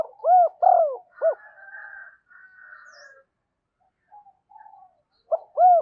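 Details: Decoy spotted dove cooing to call wild doves quickly to the perch: a three-to-four-note hollow phrase, short note then two arched coos and a clipped end, repeated about five seconds later, with thin chattering from other birds between phrases.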